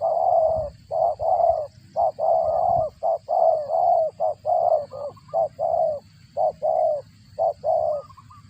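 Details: Spotted dove busy feeding its chicks, its call said to resemble a cricket: a dense, steady run of low, rough coo notes, mixed long and short, with little gap between them.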